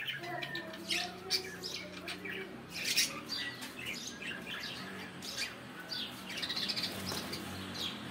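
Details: Budgerigar morning song: an ongoing stream of twittering chirps, squeaks and clicks, louder near the third second, over a faint low hum.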